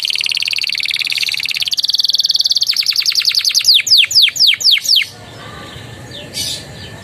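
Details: Canary in song, repertoire filled with Javan tesia and bar-winged prinia phrases: a long rapid buzzing trill that breaks into slower descending whistled sweeps, then quiet with one faint far note.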